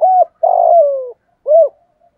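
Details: Spotted dove cooing in the 'giọng thổ' voice style, used to lure wild doves in. A mellow, low hooted note, then a longer slurred coo that falls away, and a final short rounded hoot, with silence behind.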